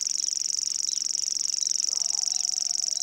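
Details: Savi's warbler singing in Sweden: a reeling, high, fast, unbroken insect-like buzz held steadily throughout, with a faint lower warbling sound entering near the end.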